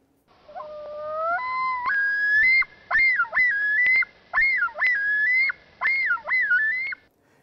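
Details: Male common loon on its breeding territory at Seney National Wildlife Refuge, recorded in 1998 or 1999, yodels: a rising two-note opening, then about six loud, ringing up-and-down phrases without pause.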